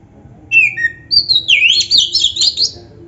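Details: Oriental magpie-robin in 'gacor' form with 'isian' fill, used as a lure for other magpie-robins; a couple of soft whistles, then a dense, high, warbling run of quick twisting notes.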